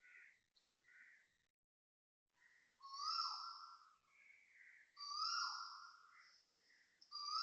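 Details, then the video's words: Loud Asian koel calls at dawn, 6.43am, 20 December 2025, in Toa Payoh, Singapore. Short soft notes are followed by three strong, ringing notes, each rising and then dipping. They repeat about every two seconds, with a further call starting at the end. "Loud koel noises"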